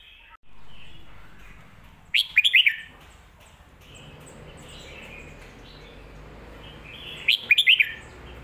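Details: Red-whiskered bulbul singing a popular phrasing of the song styles known in Thai as Phat Kuay Tiew and Mae Bot: two bright, whistled, bubbling phrases of quick up-and-down notes, about five seconds apart, over quiet background hiss.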